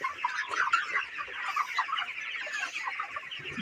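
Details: Poultry farm broilers, 29 days of age: constant chirping and clucking from a large group, louder at first and then easing into a softer steady murmur.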